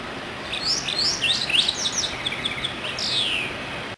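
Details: White-browed wagtail calling: a run of quick, descending whistled chirps and slurred notes, about three per second with uneven spacing, ending in a longer downslurred note, over a steady background hiss.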